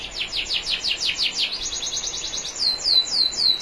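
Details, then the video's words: National champion canary singing for a training recording, with soft water sounds. A steady series of descending notes, about six per second, becomes a fine fast roll, then several falling slurred whistles. "MASTERAN KENARI JUARA NASIONAL NEW 2021 ISIAN SUPER MEWAH"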